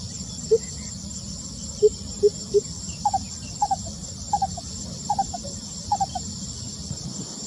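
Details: A lesser coucal sings on 28 May 2020: four spaced, hollow low hoots, then quicker paired notes that step higher in pitch. A steady high insect chorus and a low rumble run underneath.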